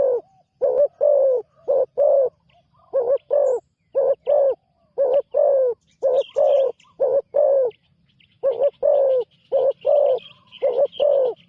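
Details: Deep, mellow cooing from a spotted dove on its first outing as a ground decoy, about one note each second in short-long pairs, with soft high chirping from other birds later on.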